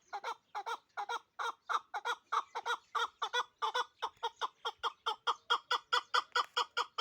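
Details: Pamir chukar partridge kept in Dushanbe producing a steady, rhythmic chain of loud clucking chuk notes, about three every two seconds, clean with no other sounds.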